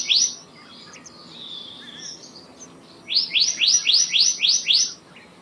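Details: Black-naped monarch singing a fast, even series of about seven ringing, downslurred notes after a short opening note and a quiet pause. A faint background chirp is also heard.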